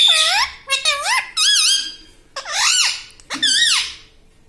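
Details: Parrot kept as a pet, saying "Mummy": rapid run of wavering, whistle-like harmonic syllables that rise and fall, followed by two longer swooping calls, all in a small room.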